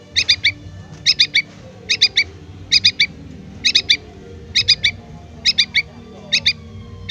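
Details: Yellow-vented bulbul chick calling its parent: high, sharp triple chirps in tight bursts, repeated roughly every three-quarters of a second over a low steady background hum.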